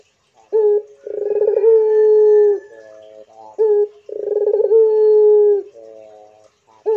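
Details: Two full coo phrases from a pelung-type Barbary dove. Each opens with a short note, rolls into a burr and stretches into a long, gently falling tone, with soft wavering notes between.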